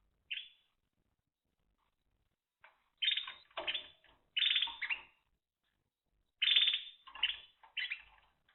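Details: Timbrado canary, a domestic canary breed, singing short bursts of rolling, trilled phrases at high pitch, each lasting under a second, separated by brief pauses; a quiet indoor setting with no other clear sounds.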